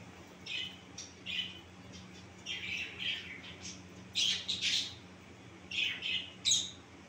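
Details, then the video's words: A finch gives short, nasal, high-pitched chirps and squeaky notes in irregular bursts over a few seconds, with a low steady hum behind. "Finch bird sound"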